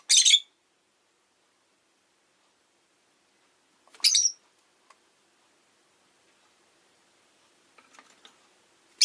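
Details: Rosy-faced lovebird, a pet bird, on a leisurely afternoon utters harsh, high chirps every four seconds or so, with quiet scattered clicks between.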